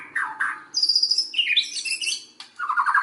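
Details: White-rumped shama song played to excite other shamas into full song: short slurred whistles, a high thin trill, then tumbling chattering phrases and a low rapid trill, over a faint steady hum.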